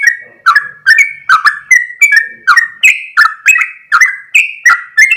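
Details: Trucuk, the sooty-headed bulbul, singing a long 'ropel' run: a steady stream of short, clear whistles, some rising and some falling, each starting with a crisp snap, repeated quickly and evenly over five seconds.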